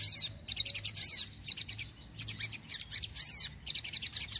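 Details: Non-stop sogon bird song used to draw in birds and wake up quiet singers: steady runs of rapid, very high staccato chirps in short bursts, broken by brief gaps and sweeping notes.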